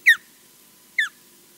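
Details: Osprey EJ at Loch Garten, Scotland, calling on and off at the nest camera: two sharp, whistled notes about a second apart, each dropping quickly in pitch, over a faint low hum.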